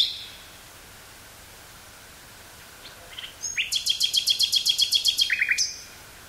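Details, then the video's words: Common nightingale singing in woods near Burgh-Haamstede, Netherlands, on 18 May 1983, recorded on a portable cassette recorder with a stereo microphone: faint high notes, then a loud fast rattling series of about fifteen repeated sharp notes ending in lower slurred whistles. "Nightingale singing"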